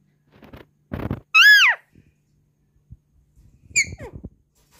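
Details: Alexandrine parakeet kept as a Hindi-talking pet parrot, indoors in a small room: one loud arched, strongly harmonic squawk-like utterance, then a shorter falling note near the end, with faint soft noises and a person saying "wow" nearby.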